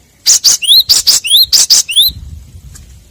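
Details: Cinereous tit lure call: a quick sequence of harsh clicking notes alternating with clear rising whistles, about seven notes in under two seconds, followed by quiet.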